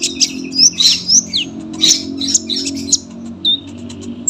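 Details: Long, dense singing from a sunbird, used to tutor young birds: high squeaky slurs and bursts of twittering, then a single thin whistle, over a steady low humming drone.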